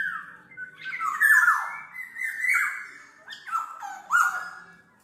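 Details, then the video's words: Black-naped oriole song for lure or tutoring use: rich, fluty whistles with sliding, falling notes, phrases running almost continuously and swelling in bursts roughly every second, clean background. "SUARA BURUNG KEPODANG MAS, untuk masteran/pikat"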